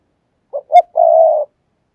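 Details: Spotted dove decoy coo in the urging 'thúc gù' style used to lure doves: two short low hoots followed by one long, steady, hollow coo, cleanly recorded with no background sounds.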